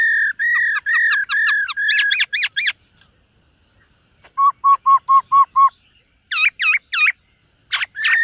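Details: Silver-eared laughingthrush in morning voice training, singing series of clear whistled notes repeated about every half second, then a pause, a run of short lower notes, and finally sharp looping upslurred phrases.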